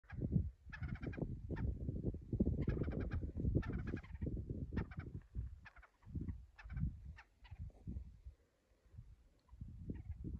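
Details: Several ptarmigans waking up, giving low, rough croaking and clucking bursts in quick uneven series, with some sharper rattling notes layered over a deep grunting chatter.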